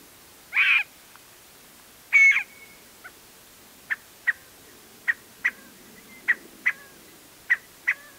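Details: A scaled quail calling from a post near a trailhead in the Sandia Mountain foothills, Albuquerque, New Mexico, gives two harsh, nasal notes, then short, clipped notes in loose pairs about every second over a quiet background.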